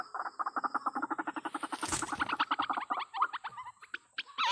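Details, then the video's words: White-breasted waterhen lure call for trapping: a fast, even series of croaking pulses broken by a brief loud rushing noise, then choppier squawks and a final wavering note. "suara pikat ruak ruak ini membuat ruak ruaknya cepat datang"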